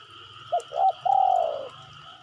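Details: Spotted dove calling, used as a lure to get birds to respond: a single phrase of two short coos followed by a longer coo sliding downward, with a steady high-pitched whine behind.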